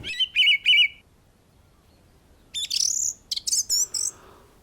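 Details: Song thrush singing from the top of a tree in the New Forest in 2021 gives a phrase of three bright, repeated notes, then a pause and a run of varied high whistles and twitters.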